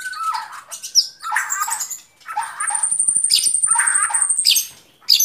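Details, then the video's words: White-rumped shama producing mixed phrases of mid-pitched warbles, thin very high whistles and scratchy bursts, with pauses between phrases. "Relaksasi suara Burung Murai Batu"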